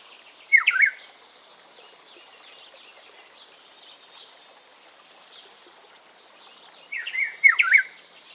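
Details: Ethiopian Black-headed Oriole (Oriolus monacha) giving loud, liquid, slurred whistled phrases, one near the start and then two close together about seven seconds later, over a faint high insect-like hiss.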